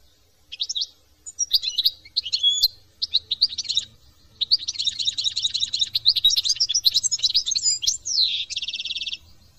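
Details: European goldfinch from France in a long, rapid song; scattered sharp notes open into a dense, excited chattering twitter, ending in a downward swoop and a buzzy rattling trill, with soft low background hum.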